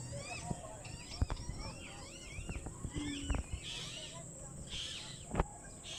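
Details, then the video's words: Two pet lutino Indian ringneck parakeets, yellow with red eyes, kept as talking parrots. Wavy, warbling chatter notes rise and fall in quick twisting sweeps, mixed with sharp clicks and a steady background hiss. "Talking Parrots"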